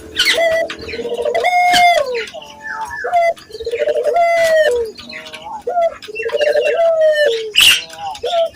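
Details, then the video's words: Barbary dove cooing, used as a lure to train local doves to sing. Low, rolling coo phrases repeat about every two seconds, each a short lead note then a drawn-out falling coo, with faint chirps between. "pancingan burung puter gacor, melatih burung puter lokal agar cepat gacor"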